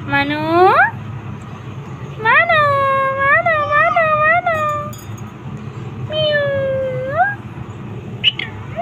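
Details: A pet ring-necked parrot on a roof, talking with its owner, gives drawn-out harmonic rising and wavering whistled phrases, then a long rising note near the end, over a low background rumble.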